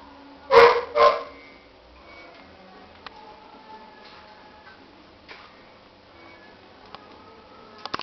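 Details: Young cockatiel chicks kept as pets: two loud, rasping calls in quick succession at the start, followed by a long quiet stretch of faint background hum and a few soft clicks.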